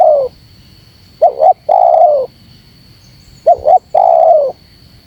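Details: Spotted dove call aimed at stirring wild doves. The tail of a coo opens, then two complete phrases follow: two brief rising notes and a long falling coo, spaced about two seconds apart. A continuous high whine is present.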